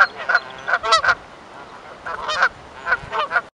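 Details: A Canada goose pair in territorial and courtship calling give loud, nasal honks in four quick bursts over three seconds. A drawn-out lower male honk is followed at once by a shorter, higher female honk.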